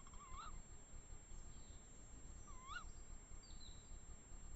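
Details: Tawny owls, two birds in forest in the Eifel near Dohr, giving clear, sharp rising calls, one at the start and another after about two seconds, over soft woodland hiss with a faint high bird note.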